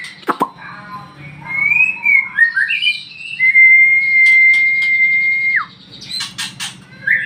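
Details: Morning lure song from a captive magpie-robin: short rising notes lead into one long, steady, clear whistle, then scattered chirps.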